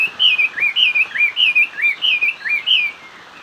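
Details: Hwamei in hót xòe song, giving a steady string of loud, bright whistled phrases, each a quick rising-then-falling slur, repeated almost without pause for three seconds.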